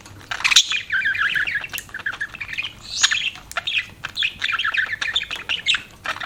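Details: Pet budgerigars warble in softer bursts of rippling, chattering chirps separated by short gaps, with sharp clicks and a faint background hum.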